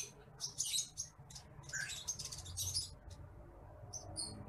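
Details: Bush lark song from a training recording meant for teaching other caged birds: short high chirps and thin whistled notes in quick clusters, with gaps of quiet and low background hum.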